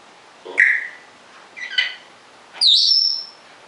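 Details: Pet African grey parrot, rescued, once fully plucked from stress, left alone in a room, gives three separate calls: a clear whistle, a short harmonic squawk, then a high falling-then-level whistle, with quiet gaps between.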